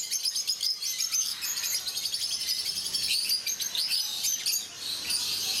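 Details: Chorus of peach-faced lovebirds in a zoo enclosure at Mysore, India: continuous shrill, high-pitched chirping and twittering from several birds at once, steady throughout with a brief lull near the end.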